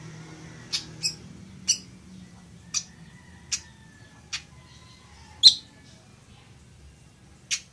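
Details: Village weaver (chichiguao) recorded to teach birds to sing: eight sharp high chips spaced roughly one second apart, one louder than the rest, with a faint low hum early on.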